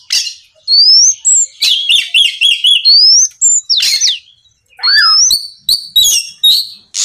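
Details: Energetic Oriental magpie-robin song meant to coax other magpie-robins into answering at night: a quick run of repeated chip notes, clear rising whistles and abrupt harsh bursts, delivered in dense, varied phrases.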